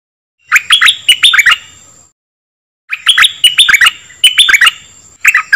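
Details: Song of a dok taeng bird, used to teach young birds and get birds excited: quick clusters of sharp chirping notes in two phrases separated by a short silence, with a thin steady high tone underneath.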